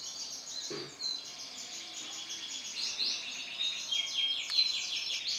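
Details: Male lemon-coloured canary singing a fairly quiet, continuous song of rapid high trills and buzzy rolled phrases, with a few clear whistled notes near the end.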